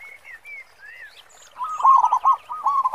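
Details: Local zebra dove with a big 'khong' voice: after a few clear whistles from other birds, a loud, fast series of rolling coo notes takes over for the second half.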